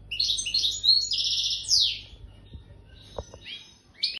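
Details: European goldfinch coming into breeding condition delivers a bright burst of buzzy, jingling trills and a sliding note, then quieter scattered chirps, with a few soft clicks in the pause.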